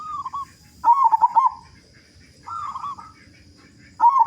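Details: Loud-voiced local zebra dove singing to prompt others to start: a rapid, staccato, pulsing cooing burst, a softer wavering coo, then another loud stuttered burst beginning.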